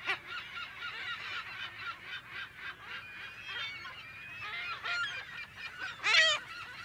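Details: Busy California gull colony, mono, close to medium perspective: continuous overlapping mewing and yelping calls from many birds, with a few louder nearby cries rising above the chorus, one strong near the end.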